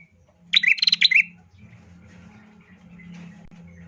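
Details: Female bar-winged prinia singing, used as a lure to get males singing quickly: one loud burst of rapid, scratchy, pulsed chirps lasting under a second, ending in a short falling note, followed by a low steady hum.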